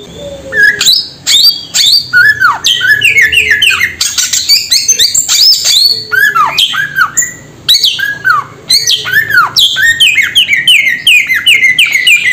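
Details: Loud, continuous samyong calling: harsh squawks and downward-sweeping whistled notes in dense bursts, with brief pauses between series; low background hum.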